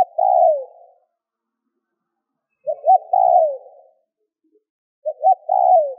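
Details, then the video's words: Spotted dove call used to stimulate other doves: a phrase cut at the start, then two full phrases, each two short coos and a long falling coo with slight echo. No other sounds. "Tiếng cu gáy kích bổi nhanh gáy hiệu quả"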